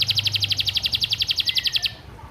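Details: Canary master vocal song for training other birds, with a fill-in style named gereja: a fast, even trill of bright high notes repeated about eight times a second for two seconds, then a faint whistled slur and low background hum.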